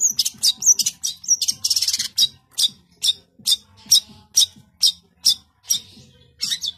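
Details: [2, "Long-tailed shrike giving energetic 'tembakan rapat' song, full of tight bursts: a buzzy trill, then loud sharp high notes repeated about twice a second in a steady, insistent rhythm."]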